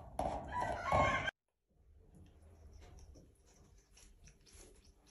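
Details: Grey parrot in captivity in Germany, part of a kept pair: one loud, rough, harmonic call lasting just over a second, then a short silence and faint indoor background noise with soft high ticks.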